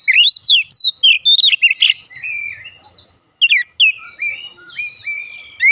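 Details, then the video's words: Energetic 'ngeplong gacor' song of an Oriental magpie-robin (kacer), used to prompt birds at home to respond: quick run of rising whistles and chirps, then softer drawn-out whistles, a short silence, and sweet descending notes. "AUTO RESPON NGEPLONG GACOR KACER ANDA DIRUMAH"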